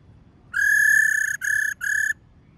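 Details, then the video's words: Female laughingthrush 'rò' call aimed at exciting captive wild-caught males: a sustained level whistle of roughly 0.8 seconds, followed by two shorter clear whistled notes, background otherwise quiet. "Khướu mái rò | khướu mái ro ro kích khướu bổi cực nhạy. tiếng khuou mai ro"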